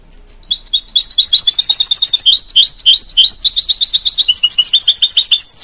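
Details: Mule from a goldfinch crossed with a canary in powerful song: a soft start quickly swells into dense, rapid twittering, high trilled notes packed about three per second, with tinkling upper tones.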